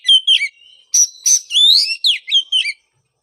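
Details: Oriental magpie-robin song for a moulted bird that stopped singing: varied whistled phrases, sharp rising and falling slurs and a few rasping notes in a quick, continuous sequence.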